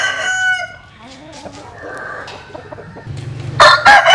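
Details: At dawn in the morning sun, a rooster's crow tails off at the start, followed by soft clucking and a low hum, then a sudden harsh, loud burst of calls at the end.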